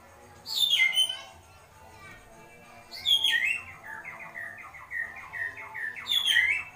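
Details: White-rumped shama giving agitated kretekan calls: loud, sharp notes sweeping down from high to mid pitch, followed by a run of quick chattering notes at steady mid pitch, with a brief quiet gap between bursts.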